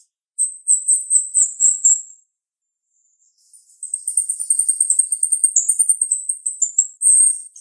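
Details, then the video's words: Female jalak rio-rio starling with a sharp voice: a high, rapid run of bright chattering notes for about two seconds, a pause, then a longer, dense trill of quick pulsed notes lasting nearly four seconds. "MASTER Jalak RIo Rio Betina suara tajam"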